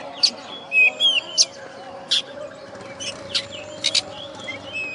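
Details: A contest-winning oriental magpie-robin (kacer), West Kalimantan, Indonesia, described as master-tutored, gives short bright chirps and clipped whistled notes in irregular bursts about every half second, then a long low drone.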